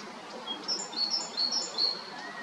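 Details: A male great tit at Jarun, Zagreb, Croatia, recorded in March to May 2022, gives a scatter of brief, thin, high call chirps, about eight in two seconds, over a steady outdoor hiss.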